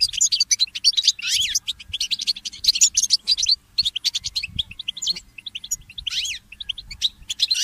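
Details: Early-morning goldfinch mule song: lively twittering phrases with a few sweeping slurred notes, short breaks, and a faint low hum in the background.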